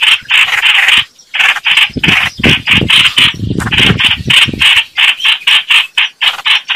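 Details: Red-whiskered bulbuls fighting, their quick rasping calls repeated in a choppy rhythm over a faint low background rumble in the middle section.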